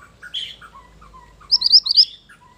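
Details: Mantenan gunung bird singing, a recording used as a lure and master song for training: scattered whistled notes at varied pitches, then a quick bright run of high, buzzy rising notes near the end.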